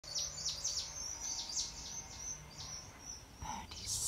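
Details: Honeyeaters singing in November 2020: rapid, high, sharp chirps and downslurred notes, several a second, with a low steady hum beneath and a brief rustle near the end.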